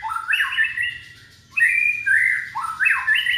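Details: Young white-rumped shama from Indonesia, sung to draw other shamas into song: rich rising slurred whistles climbing in steps, held briefly, repeated in three phrases.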